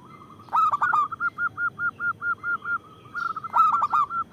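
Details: Local zebra dove with a big voice, used to lure wild doves and prompt reluctant ones to sing; opens with stuttering trilled bursts, then a steady run of clear, bell-like coos about five per second, with another trilled burst near the end.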